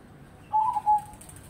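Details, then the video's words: Zebra dove uttering a single short coo phrase of two smooth whistled notes, the second louder and more sustained, over faint hiss. "Perkutut Crossing Gacor"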